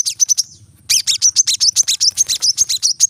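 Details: Brown-throated sunbird song used as a training recording for kept birds: rapid, dense series of high, sharp chirps and squeaky notes, with a brief pause near the start before a fast repeated run.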